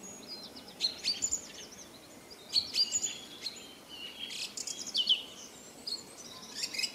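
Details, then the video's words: A song thrush sings short, bright phrases of high whistles and scratchy notes, with pauses of about a second between bursts, over a faint steady hiss. "song thrush singing"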